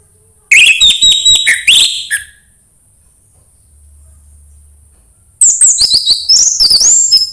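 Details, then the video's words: Orange-headed thrush song meant to stimulate another bird to sing: two bursts of rich, varied whistles and chattering trills separated by a long pause. "anis merah sulit gacor coba PUTAR suara burung ini"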